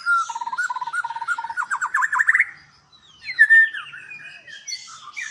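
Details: Breeding-farm white-rumped shama in Palembang, Indonesia sings a steady series of mellow whistled notes that quicken into a rising trill, falls briefly silent, then resumes with softer sweeping whistles.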